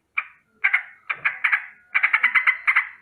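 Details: Morning alarm of a sooty-headed bulbul, a rolling warning against danger: scattered single harsh notes, then longer runs of quick chattering notes toward the end; otherwise quiet.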